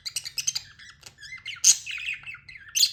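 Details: Pet budgerigar kept indoors chattering with quick clicky ticks at first, then warbling twitters and bright sharp squawky chirps, a busy run of varied notes over a faint low hum.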